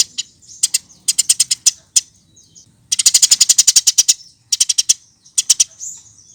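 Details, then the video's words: Eurasian tree sparrow used as a lure to set birds singing: bursts of rapid, sharp, high chirps, each burst about a second long, separated by short pauses, with scattered single chirps between. "Kompilasi Masteran Burung Gereja Gacor"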